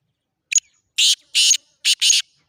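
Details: Black francolin call: a short harsh opening note followed by four loud, grating, broadband notes in two quick groups, rhythmic and clean over about two seconds, with silence between notes.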